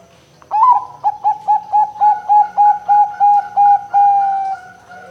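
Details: Female Bangkok-type zebra dove, a kept bird used as a lure to make other doves sing: a rising opening coo, then about a dozen short, evenly spaced mellow coos, ending on a long held note.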